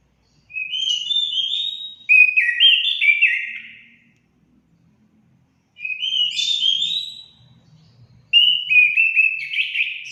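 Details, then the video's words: Orange-headed thrush song played to stimulate pet birds to sing: three rich whistled phrases of warbling, slurred notes, each about one to two seconds long, separated by short pauses. "Langsung nyaut gacor anis kembang anda"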